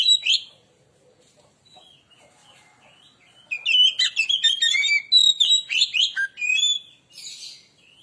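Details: Oriental magpie-robin lure song to provoke other birds: a brief note, a soft pause with faint whistles, then a long, vigorous run of loud mixed whistles, trills and chattering phrases.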